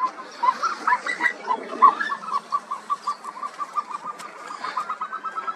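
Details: Himalayan snowcock of alpine pastures and steep rocky cliffs: a few louder, rough opening notes lead into a long series of short whistled notes, evenly repeated and slowly fading.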